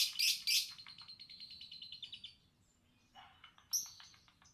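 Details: Lovebird calls: two loud shrill squawks open, followed by a rapid string of fading high chirps, then a brief lower chattering burst and one more piercing shriek.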